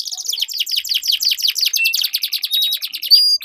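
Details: Canary song used to train competition birds: a dense rapid chatter of short descending notes, rolling continuously, with a few clear whistled tones near the end.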